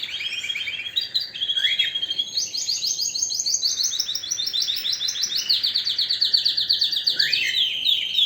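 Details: Canary in powerful song: a continuous stream of high rolling trills and fast repeated notes that step up and down in pitch. A dense, buzzy roll in the middle gives way to sharp pulsed trills toward the end.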